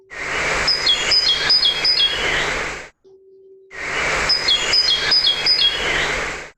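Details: Great tit song, given as an example species from a study near Oxford, England, where 57% of breeding birds were immigrants: high, thin notes in a repeated phrase, played twice with a short gap and a faint steady low hum beneath.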